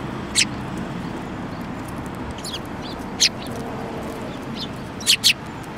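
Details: Wild sparrows recorded on 5 February 2018, a group including one with a yellowish bill; a few sharp, high chirps come singly and in a quick pair near the end, spaced by quiet gaps over a low, steady background hum.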